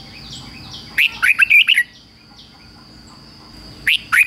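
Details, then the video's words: Red-whiskered bulbul used as a decoy, singing to provoke wild rivals: a rapid phrase of bright, jerky warbled notes, then a pause with faint background chirps, then two more sharp notes starting the next phrase. "Chào mào mồi hót gọi bổi đỉnh cao chuẩn nhất - chào mào mồi kích bổi về đấu hay nhất chào mào hót"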